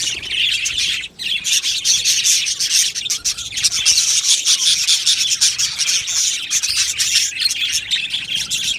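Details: Budgerigars in an aviary colony, a dense continuous chorus of high chirps, twitters and warbles from many birds at once, with a brief dip in the chatter near the one-second mark.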